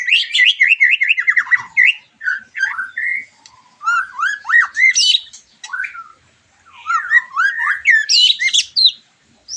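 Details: White-rumped shama song for stimulating a bird after moulting: quick runs of repeated notes, scratchy squawks and swooping whistles in lively bursts with brief pauses.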